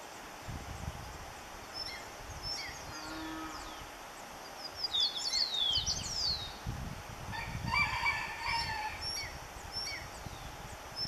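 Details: A Red-crowned woodpecker (Melanerpes rubricapillus) in the Cordillera Central, Salento, Quindío, Colombia, 2013, gives a harsh, rolling churr late on, over high thin whistles and chips from other birds and a low rumble.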